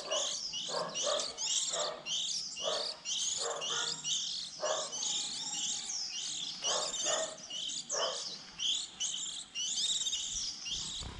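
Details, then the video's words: Young white-eyes newly out of the nest in spring, a trapping lure: continuous high squeaky twittering from several birds, clustered in short phrases about every second, with faint lower notes. "Tiếng khuyên non đầu mùa 2020"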